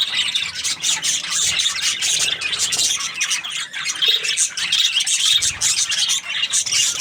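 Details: Budgie chirping in a happy mood, a steady tumbling warble of squeaks, clicks and harsh buzzy notes running without a break.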